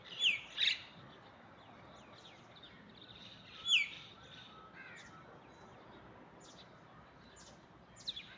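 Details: Myna and other birds calling in the morning: sharp, loud chirps and downslurred whistles around the start and near four seconds, with fainter high notes scattered throughout over a steady background hiss.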